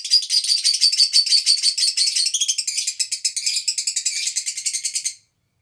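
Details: An old pair of Black-cheeked lovebirds in an aviary, with a nest all year but not breeding for three years, give a fast, shrill, buzzy chatter of rattling notes, about three per second, for five seconds.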